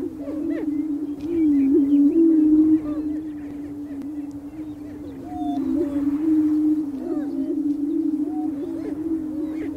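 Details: Male greater prairie chickens displaying together on their booming grounds in spring on the North American prairie: continuous low, hollow humming drone that swells and fades, with scattered quick yelping whoops and chatter layered on top.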